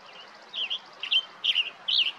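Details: Male Western tanager calling for his mate: four short, hoarse, burry chirped phrases in quick succession, each slurred up and down, spaced about half a second apart, over faint steady background hiss.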